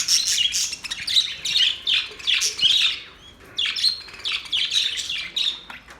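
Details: Budgerigars singing: bursts of busy, scratchy chirps and squawky warbles, each lasting about half a second and separated by short gaps, with several phrases running back to back.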